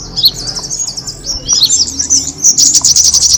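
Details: Kemade bird twittering used to draw in birds, with sparse high chirps at first, then a quickening, denser run of bright squeaky notes toward the end.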